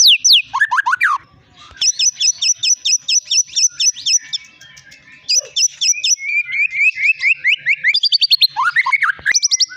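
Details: Caged long-tailed Medan white-rumped shama, a champion songbird, repeats a fast run of identical high notes about four per second, then descending slurred whistles and a final burst of sharp notes.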